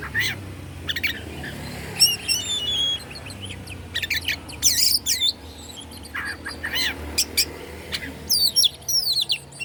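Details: Oriental magpie-robin from Bandung, Indonesia, used to provoke rival magpie-robins: scattered sharp chips, brief whistled slurs and harsh high bursts over a low background hum.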